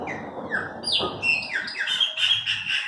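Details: Brief song from owned Chopi blackbirds: a quick series of downslurred whistled notes, then a run of higher, bright repeated notes, all over constant background noise.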